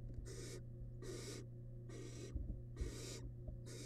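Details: Barn owl nestling, wild, in a nest box camera, feeding on a large rabbit remain: loud, rasping hiss-like bursts of about half a second, repeated roughly every second over a constant low hum.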